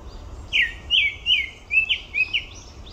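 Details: Grey-backed thrush recorded at Olympic Park, giving a quick run of about seven sweet, slurred whistles that drop slightly in pitch, spaced roughly a third of a second apart, with faint higher chirps above and low rumble beneath.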